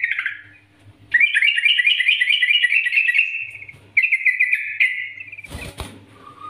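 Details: Yellow-vented bulbul in lively NGGARUDA-style master song for training: a long stream of quick zigzag warbled notes, a second shorter phrase after a pause, then a brief rattling knock near the end.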